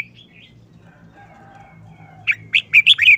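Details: Red-whiskered bulbul in short, quick wild-style song: after a thin opening note and a pause, a rapid run of five ringing, slurred whistles closes the phrase.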